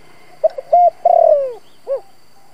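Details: Decoy spotted dove cooing to stimulate wild doves: two short notes, a steady held note, a long descending coo, then a soft rounded final note, in a quiet setting.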